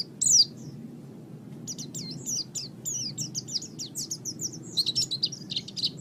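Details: Oriental white-eye master recording for training birds: a loud high note at the start, then a quieter stream of thin, rapid, slurred twitters and chips that rises toward the end, over steady low background noise.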